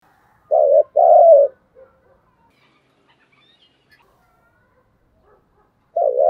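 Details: Decoy spotted dove cooing: a short low pair of hollow, mellow coo notes, then a long silence before another coo begins at the end.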